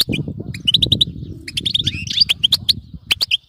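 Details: A European goldfinch gives babbling twitter song for training a pet goldfinch: rapid run of bright tinkling notes, a few buzzy slurs, over steady low background rumble.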